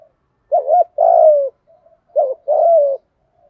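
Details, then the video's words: Male and female spotted doves give 'thổ'-style calling coos mixed with urging coos, used to train other doves. Two phrases, each a quivering short note then a long coo falling in pitch, about one second apart. "cu gáy giọng thổ pha gù thúc Kèm gáy gọi nhiều"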